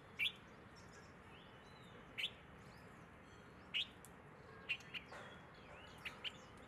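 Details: In Ahmedabad, India, on 5 December 2022 at 10:30 am, an Asian green bee-eater gives short, sharp, high trilled chirps, singly or in quick pairs every second or two, with faint twittering of other birds behind.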